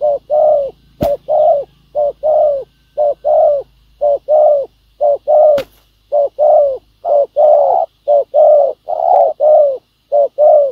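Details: Spotted dove, a wild bird encountered while trapping with a ground decoy, giving a good bow-coo of strong quality: a steady run of soft, mellow, hollow coos about one per second, with two sharp clicks behind.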